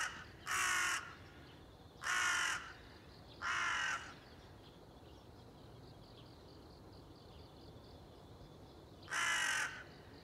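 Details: Crow recorded on 30 September 2020, giving loud harsh caws: three spaced about a second and a half apart, a long pause, then a fourth, over a faint background of high insect-like trilling.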